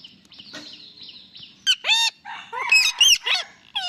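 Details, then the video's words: Pet Indian ringneck parakeet making talking-parrot sounds: a soft nasal note held at first, then a run of loud, harsh, harmonic squawks that arch up and fall, several in quick succession with short gaps. "Funny Parrot Noises"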